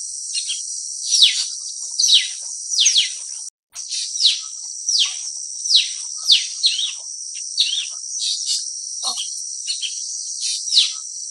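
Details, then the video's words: Blue-winged leafbird (Chloropsis cochinchinensis) giving sharp, high notes that sweep steeply downward, repeated about once a second, over a steady high-pitched insect drone. "藍翅葉鵯/Blue-winged Leafbird"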